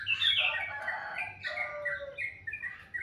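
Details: Sweet morning birdsong: loud tumbling warble at the start easing into spaced chirps and short whistled notes, over a low steady hum.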